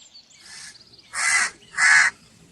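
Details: Two strong, hoarse caws from a crow, about half a second apart, preceded by a fainter, softer call, against a quiet background.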